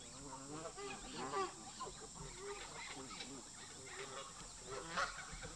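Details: Local geese at a park bicker with migrating newcomers, a mass of harsh, wavering honks from many birds layered over each other, with a few sharper loud calls and steady hiss behind.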